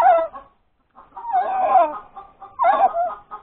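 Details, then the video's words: Hen that has just laid an egg, breakfast time on 31 January 2021, a Sunday: broken bursts of nasal clucking and drawn-out squawks, with a brief silent pause after the first calls. "the crowing of the hen that lays the egg"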